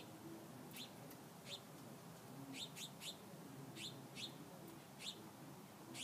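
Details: House finches (Haemorhous mexicanus) chirping in a loose chorus: short, bright, sharply dropping notes, about ten in six seconds at an uneven pace, over a steady low background hum.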